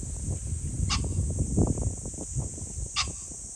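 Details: Two short, rasping pheasant calls about two seconds apart, 21 July 2024, with heavy low-frequency rumble and a continuous high hiss behind them.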